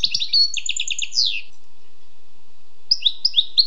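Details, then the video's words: Wild European goldfinch song opening with fast chirps and a descending series of five buzzy notes, then a pause and four evenly spaced bright chirps. "Écoutez et appréciez le doux chant du chardonneret sauvage"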